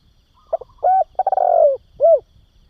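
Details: Spotted dove call played to train young doves: brief hoots leading into a long, trembling, downward-sliding coo, closed by a single short rounded note after a pause.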